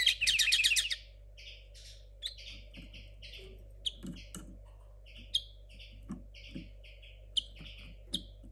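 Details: Kept young linnet hybrid from 2022 with a muddled learning song opens with a rapid buzzy trill, then delivers spaced single and paired high chirps about every half second, with faint low knocks and steady hum behind.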